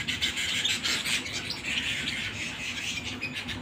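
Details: Canary singing at home, a dense, fast stream of high chirps and trills with harsh buzzy notes, continuous with no pauses.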